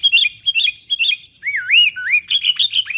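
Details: Sooty-headed bulbul calling to wild companions as a lure: repeated short whistled notes, then a fluid rolling whistle that swoops down and up, followed by quick chirps.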